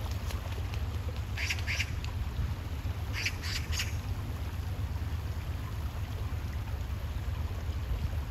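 An Oriental magpie gives two short bursts of harsh, rasping chatter a couple of seconds apart, over a steady low rumble of wind or distant traffic.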